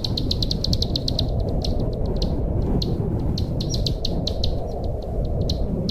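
Bar-winged prinia singing rapid series of high, sharp chips, about eight per second, broken by short pauses, over a steady low rumble.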